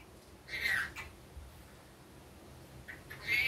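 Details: Rainbow lorikeet, a pet bird, in daytime: one short grating screech, a long quiet stretch, then a brief chirp and another harsh rising squawk at the close.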